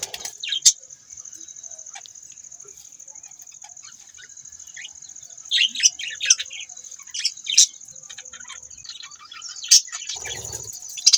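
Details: Budgies give scattered soft chirps that build into clusters of louder, sharp squeaky notes later on, over a constant high-pitched whine, with a brief rustle near the end.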